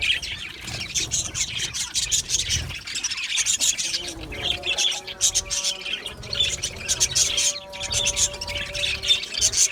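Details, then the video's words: Australian budgies chirping in an aviary colony, a dense high chatter joined midway by steady tonal humming notes in the background. "Budgie birds chirping sounds"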